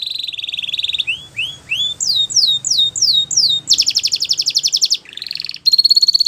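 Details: Belgian canary singing a training song for young canaries: a warbling trill, soft rising notes, a series of falling whistles, a loud fast rattle, a low buzzy phrase and a high bright trill.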